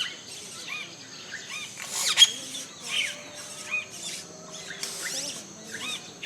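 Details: Yellow-rumped caciques at a nesting colony in Colombia: a busy overlapping chatter of short high chirps, squeaks and whistled notes, with several loud bursts and a soft gurgling undertone.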